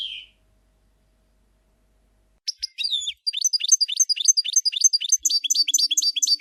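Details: A European goldfinch in camper song style. A short buzzy note is followed by silence, then a few sharp chips and a steady run of rapid, high, twittering repeated notes to the end.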